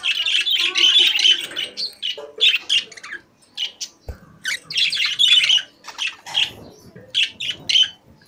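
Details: Parakeets singing inside a cage: dense scratchy warbling at first, a short lull with a click, then renewed bursts of chirps and squeaky twitters.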